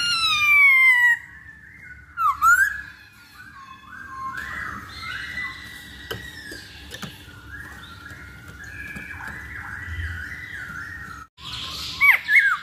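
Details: Masked laughingthrush lure song to get birds singing quickly: a long falling whistle, a short sharp upslurred phrase, a long soft wavering warble, then a brief loud burst of abrupt whistles.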